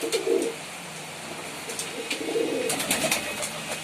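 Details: Pigeon giving low, soft cooing notes, one near the start and another past two seconds, with faint clicks and background hiss in between.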